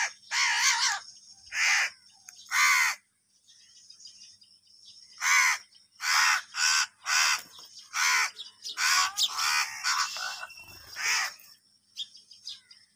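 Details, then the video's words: Bursts of rough, rasping caws come from crows fighting over food. They arrive in clusters with short pauses, grow faster and crowded toward the middle, and are mixed with thinner chattering notes. "Kaka sound and noises of Crow birds | Crow bird Fight for Food | Angry kauwa ki awaaz"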